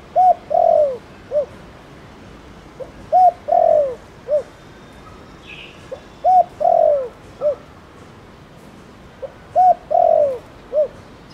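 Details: Spotted dove cooing in the Thổ Đồng style, used to stimulate other doves to call; low mellow phrases of short notes, a double coo and a long downslurred coo, repeated four times about every three seconds over faint background hiss.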